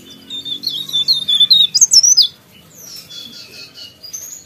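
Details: Energetic song from a sooty-headed bulbul, one quick phrase of sharp, high, twisting chirps lasting under two seconds, then faint softer twitters over low hum.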